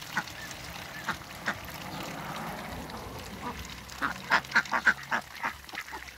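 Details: Backyard Muscovy duck pair; after a few isolated notes, a rapid cluster of five or six short, rough calls bursts out near the end, against low background hiss.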